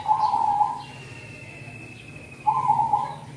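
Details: Zebra dove used as a cold-season lure. Two short rolling trilled coos are separated by a pause. A long, thin, level whistle from another bird runs through the gap, with a faint low hum below.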